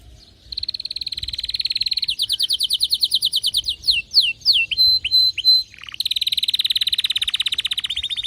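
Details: Canary singing in an excited state: a long fast trill, a run of rapid slurred notes, sweeping drops and paired whistles, then another long rolling trill.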